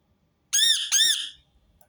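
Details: Two loud, grating screeches in quick succession from a Rose-ringed parakeet, the second trailing off slowly, with no other sounds.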